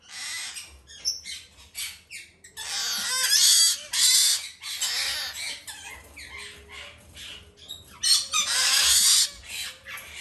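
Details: Domestically bred male White-bellied parrot chick, green-thighed form, begging while hand-fed: a ragged run of raspy squawks, with longer wheezy hissing bursts near the start and end.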